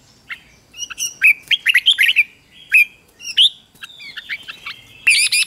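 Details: Red-whiskered bulbul singing its morning contest song to train wild-caught birds: rapid rising and falling whistles, bright chirps and a sustained high note, ending in a quick run of repeated high notes.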